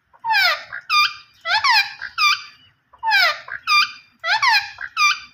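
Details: A green ringneck parrot talks in a small room, giving raspy, harmonic phrases in pairs: a sweeping, slurred syllable, then a clipped, higher squawk. Each pair is spaced about a second apart. A faint low rumble sits underneath.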